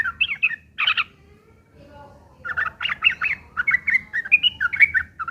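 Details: ['Harsh fighting song of a Yellow-vented bulbul, used as a lure for other birds to answer: a few chattering notes, a quiet stretch, then a sustained series of bubbly, rising chirps.']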